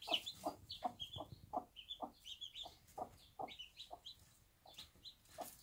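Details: Bantam mother hen with her one-day-old chicks in a small backyard farm, giving low, short clucks repeated in a steady rhythm about every half second, while the chicks' high thin peeps sound above throughout.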